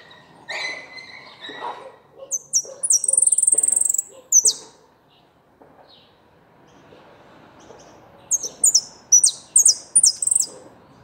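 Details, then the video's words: Goldfinch song in two bursts of rapid, high, jingling twitters with a sustained ringing note, separated by a pause; lower chirps and soft knocking sounds are heard beneath. "jilguero completo osamado"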